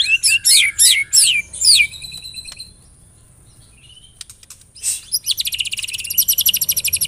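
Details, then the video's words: White-rumped shama song played as a lure recording for songbird keepers: a run of fast, rising slurred whistles, a pause with a thin drawn-out note, then a rapid, even trill of bright ticking notes to the end. "LANGSUNG CEPAT NYAMBER TAK TAHAN DIAM MURAI MENDENGAR PANCINGAN INI"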